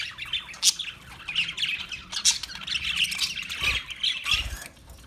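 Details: Continuous parakeet squawking, harsh and high, with a few sharp peaks and two dull low thumps near the end.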